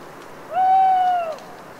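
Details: At night in a wet autumn forest near Les Assions in the Cévennes foothills of France, a solitary owl gives one long, smooth hoot, flat in pitch and fading at the end, with faint dripping in the background.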